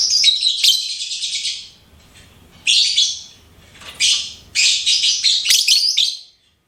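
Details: Lovebird kept as a pet, chirping: long runs of fast, harsh, high-pitched twittering, broken by brief quiet gaps, then a sharp squeaky chatter that ends suddenly.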